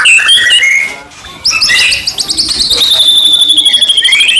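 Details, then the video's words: White-rumped shama song meant to provoke other shamas into singing: harsh squawking phrases, a short dip in loudness, then a long high whistled note followed by fast repeated notes. "murai batu gacor AMPUH buat PANCINGAN murai batu agar bunyi"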